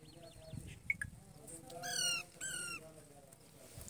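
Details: Male and female parrots calling: a thin wavering whistle at the start, then two loud, harsh, harmonic squawks near the two-second mark, each under half a second, with faint chirps and a low background hum.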